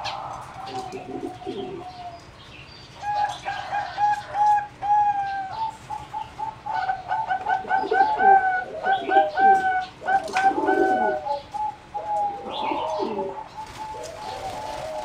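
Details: Bred singing zebra doves for competition, recorded in an aviary on 30 April 2014: long runs of quick staccato coos, overlapping voices producing dense chattering bursts and sustained trilled notes throughout.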